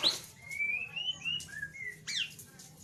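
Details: White-rumped shama in ngeriwik song, a lure for a bird that stays silent: a brief high note, then long pure whistles sliding upward, a lower whistled slur and a sharp descending flourish.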